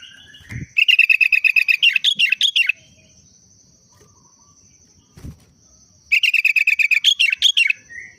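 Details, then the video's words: Sooty-headed bulbul whose everyday song is in the style of the Trucuk (yellow-vented bulbul): two fast bursts of about twenty rapid chattering notes, bright and bubbly, ending in varied warbles, with a steady high whine and soft knocks in the background. "Burung Kutilang √ tapi hariannya Trucuk"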